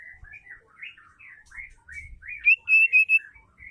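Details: Female white-rumped shama (murai batu) voice used to get males singing: soft, wavering chattering notes rise and fall, then end in four loud, clear whistled notes in quick succession.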